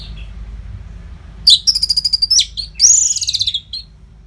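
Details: Orange-headed thrush giving lively non-stop song used to train competition birds: after a quiet second, a burst of high sweeping whistles and a fast run of rapid repeated chips, then a bright rising-falling whistled phrase with quick trills.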